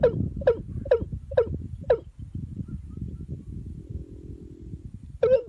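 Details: Watercock lured with a female decoy bird: five quick descending notes ending in a low nasal hook, a pause with rustling and a faint hum, then one more note.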